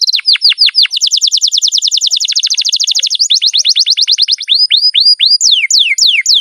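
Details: Canary singing a rapid chain of downward-slurred whistled notes, speeding into a dense run before slowing again to spaced, falling sweeps near the end.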